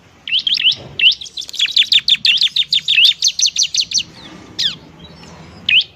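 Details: Bar-winged prinia (ciblek), a very vocal bird, played as training to stir reluctant prinias to sing: rapid series of high, sharp chirped notes repeated about three per second, then scattered single chirps after a brief pause.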